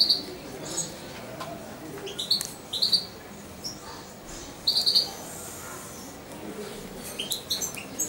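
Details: Young European goldfinch aged about two months, raised by hand and kept close to its owner, gives sharp high chirps in twos and threes, with a longer burst of four notes midway, separated by quiet gaps.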